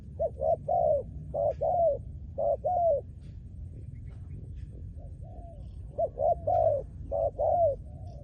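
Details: Trained decoy spotted dove cooing: low, hollow coo phrases of three to four notes, each phrase ending on a longer drawn note. Two bursts are separated by a quiet pause of about three seconds, with a low background rumble.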